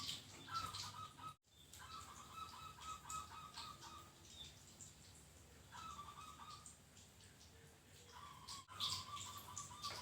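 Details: Local zebra dove (perkutut) singing through heavy background hiss: several runs of fast, level, beaded cooing notes, each lasting about a second, separated by short gaps and two brief silent cuts.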